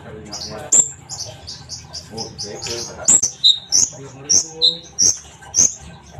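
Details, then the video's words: Sunbird singing a series of very high, sharp notes alternating with slightly lower whistled notes, repeated about twice a second, with a low background murmur. "kolibri bahan pasti yaut dengar suara konin ini gacor?"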